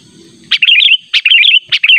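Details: Sooty-headed bulbul lure call used to attract and catch rivals: three quick, bright phrases about every 0.6 seconds, each opening with a harsh note, then a bubbling, warbled run of high whistles.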